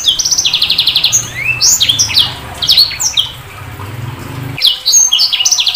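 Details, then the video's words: Sanger bird pouring out a quick buzzy trill, then scattered rising and falling whistles and chirps, ending with another rapid burst of high notes; faint low hum in the background. "Suara Burung SANGER"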